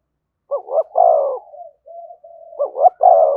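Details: Spotted dove in the 'thúc gù' calling style, close to a decoy bird: two low cooing phrases, each a quick double hiccup note leading into a long, steady, hoarse coo, with soft wavering murmurs between them.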